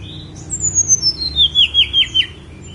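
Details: Snowy-browed flycatcher singing a thin, high phrase: a series of about eight sharp squeaky notes that step steadily downward in pitch over two seconds, clear against a quiet background.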